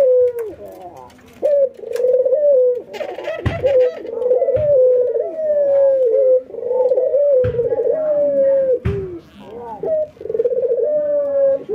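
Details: Albino white and local Barbary doves (ringneck doves) in a kitchen give low, rolling coos and chuckling laugh-like calls while nodding, each a second or two with brief pauses; a few sharp knocks heard in the small room.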